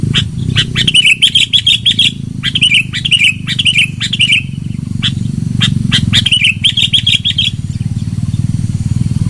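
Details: Sooty-headed bulbul song played as a lure, loud: bursts of rapid bubbly warbled phrases separated by short pauses, against a constant low rumble.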